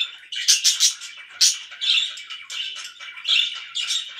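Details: Pet budgerigar calling loudly, mixing a quick cluster of bright, sharp chirps with longer scratchy, buzzy warbles in a lively, irregular sequence.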